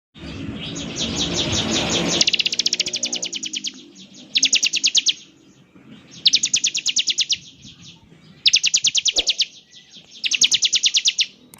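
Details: Bar-winged prinia singing in the ngebren style, said to prompt other prinias to answer: after two seconds of low rumbling noise, a long buzzy high rattling trill, then short rapid pulsed bursts repeated with pauses.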